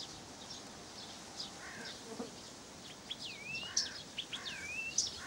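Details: A Blyth's reed warbler in Pavlodar sings soft ticks and chips, then clear whistles that swoop up and down, two of them long and sliding, with faint background noise throughout.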